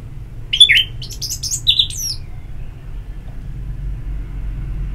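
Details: Orange-headed thrush ngeplong song meant to prompt singing. Two short bursts of whistled and scratchy notes early on, then a low rumble of traffic.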